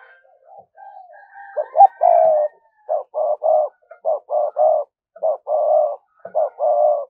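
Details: Decoy spotted dove giving thúc gù cooing to lure wild doves: a few soft low coos, then a steady run of short, even, throaty notes repeated roughly every half second in a low-pitched series.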